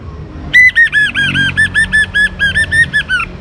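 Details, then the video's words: Young orange-headed thrush in steady song, used to prompt other birds to sing: a fast series of about thirteen arched whistled notes, each rising then falling, delivered evenly with low traffic rumble underneath. "ANIS MERAH Muda Gacor Untuk Pemancing Burung Berani Berkicau"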